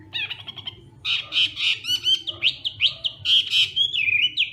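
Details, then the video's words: Hwamei practicing its morning song, a quick stuttered opening, then loud ringing notes and slurred whistles in fast succession, energetic and melodic. "Hoạ Mi Hót Đấu /hoạ mi hót sáng luyện giọng"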